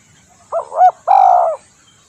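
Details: Spotted dove (tekukur) call used to lure birds: two loud, mellow coos, a short one then a longer, level hooting note, over a quiet background.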